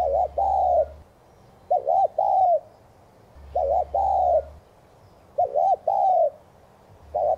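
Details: 'Thúc gù' cooing of a spotted dove, played as a decoy to make other doves coo: steady repeated phrases of two quick clipped notes and a longer mellow coo, about every 1.8 seconds, with a faint low hum behind.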